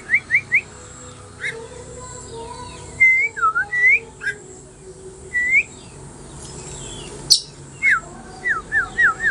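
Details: Magpie-robin singing in ngobra style, offered as learning material: three brisk upslurred whistles, a gap, then drawn-out curving and dipping whistles spaced apart, and a closing run of short rising whistles, with a constant faint hiss behind.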